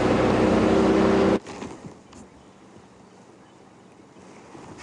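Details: Loud rushing engine or wind noise for over a second, then a quiet outdoor hush with faint rustles and a brief thump at the end.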